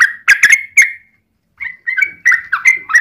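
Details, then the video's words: Yellow-vented bulbul song played to provoke other bulbuls into answering. Short, bubbly, whistled phrases slur downward, broken by a brief silence, then resume in a jerky run of liquid notes. "trucukan gacor TARUNG ROPEL PANJANG pancingan trucukan agar bunyi"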